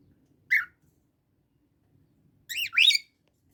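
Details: Pet Indian ringneck parakeet bonding with cockatiel friends at home; a single shrill rising squawk, a pause of nearly two seconds, then two quick harsh upslurred screeches close together, in an otherwise quiet room.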